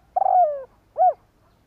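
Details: Spotted dove kept as a decoy to lure wild birds, giving a drawn-out coo that slides downward, then a brief rounded note after a short pause; clean and close.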